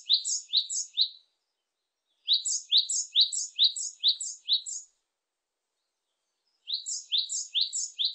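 Great tit singing bright, high two-note 'tea-cher' phrases, about three per second, in bursts of one to three seconds with short pauses between.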